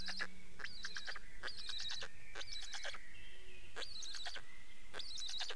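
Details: Black stork: bursts of rapid, high, rattling pulses, each lasting about half a second and repeated roughly every second, over a steady thin whistle and low background rumble.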